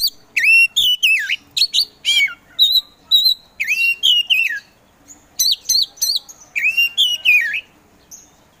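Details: Kept kacer poci Oriental magpie-robin singing nonstop: rich whistled phrases with deep swooping dips, steady repeated notes and trilled ends, delivered as a busy, varied stream.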